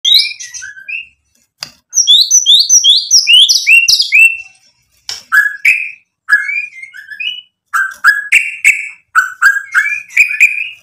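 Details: White-rumped shama singing to provoke rival birds into answering: loud, varied whistled phrases of rising and falling notes in quick bursts, separated by short silences, with some sharp high chips.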